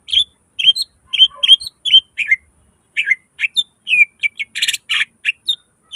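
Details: Greater green leafbird singing gacor, full nembak isian, for masteran: crisp repeated chirps and whistled slurs, ending in a cluster of harsh buzzy notes.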